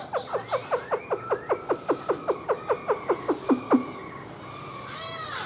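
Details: Black-throated laughingthrush singing while dancing, its tail fanned out like a fan: a fast run of about eighteen sharp, down-slurred notes, roughly five per second, ending with a faint higher trill.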